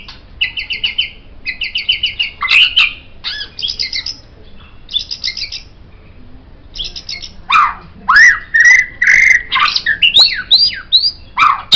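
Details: White-rumped shama singing as a master song for training songbirds, mixing buzzy repeated chatter bursts, sharp rising notes and a string of clear slurred whistles, with short pauses between phrases.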